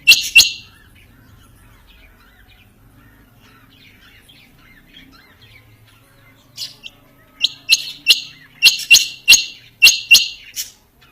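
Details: Quail calling: after a loud double note, a run of sharp, harsh, clipped notes comes in quick succession, bright and high, in a quiet setting.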